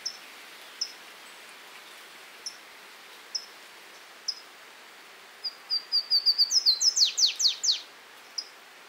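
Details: Flavescent warbler (canário do mato) recorded in Esmeraldas, Minas Gerais, Brazil: a few sharp high chips, then an accelerating series of thin notes ending in loud downslurred whistles, over steady background hiss.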